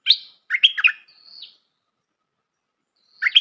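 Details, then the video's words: Bulbul call played as a trapping lure: sharp chirps, a rapid liquid chatter and a drawn-out thin whistle, a pause, then a fresh chattering burst starting. No other sounds. "Suara pikat merbah lekir"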